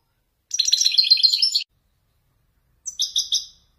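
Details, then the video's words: European goldfinch of Wedani type singing Marrakchi-style descents: a fast, liquid twittering phrase of about one second, a pause, then a shorter trilled phrase of three quick chirps. "حسون ويداني يتفنن بالنزولات المراكشية الأصيلة"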